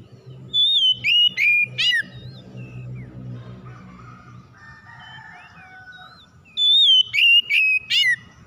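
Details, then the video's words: Provoking song of an oriental magpie-robin: a volley of four ringing whistled notes, a quieter middle section of scratchy and warbled notes over a low rumble, then another quick series of four loud whistles. "PANCINGAN KACER MACET BUNYI CEPAT IKUT BERPERAN LANGSUNG GACOR"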